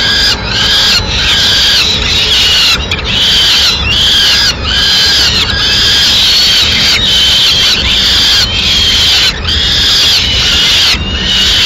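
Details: Madrid peregrine falcon nest, 6 May 2016, pigeon delivered by the female: rhythmic, harsh wailing calls repeated roughly seventy times a minute, each rough and slightly wavering, with short silences between.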